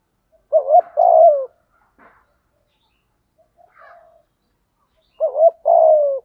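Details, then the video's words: Decoy spotted dove calling to lure new wild doves, in the thúc and gáy styles: two quiet-separated phrases, each a short arched coo followed by a long, burry coo, with faint soft notes between. "Chim Cu Mồi thúc & gáy gọi bổi mới"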